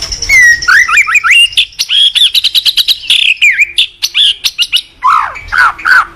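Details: White-rumped shama, a strong singer used as a master recording to prompt other shamas, delivering loud whistled slurs and rising notes followed by rapid clipped chips and descending swoops.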